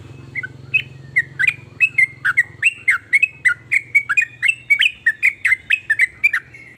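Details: Sooty-headed bulbul singing a varied song that prompts other bulbuls to join in: a steady run of short, loud, bubbly whistled notes, some rising and some falling, about three per second, over a low hum.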